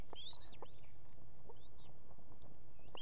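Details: Estonian osprey nest with a female and two chicks; the female summons her mate to bring fish. A few arching, whistled cries spaced across the clip, some with overtones, over a low steady background hum.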